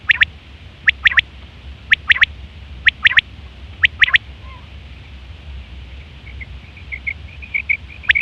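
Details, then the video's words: Quail, female, giving a lure call for trapping: crisp paired notes repeated about once a second, then a quieter string of soft high pips toward the end. "batair ki awaz 2025 | female quail sounds"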